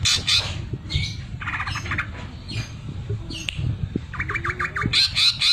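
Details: Vigorous caged greater green leafbird singing with sewing-machine mimicry as filler: varied mix of high buzzy bursts, slurred whistled notes and a quick series of downslurred phrases amid low background rumble.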